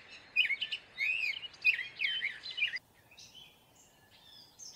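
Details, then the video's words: Gray catbird delivering a loud burst of squeaky, wavering warbled phrases that stops abruptly, followed by quieter faint notes. "Gray Catbird Call / Song / Sound"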